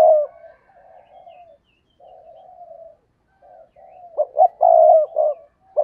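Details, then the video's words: Spotted dove acting as a lure for wild doves: soft, low murmured cooing for several seconds, then a loud burst of clipped coos and a drawn-out throaty coo near the end. "Tiếng Chim Cu Mồi Thúc Gù/ chim cu gáy kích bổi/ mở là gáy"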